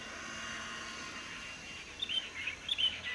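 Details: Light-vented bulbuls in a large noisy flock drinking and bathing at a nearby waterway, 7 March 2024; after a quiet start, a burst of sharp chirping notes, short and irregular, over constant low hiss.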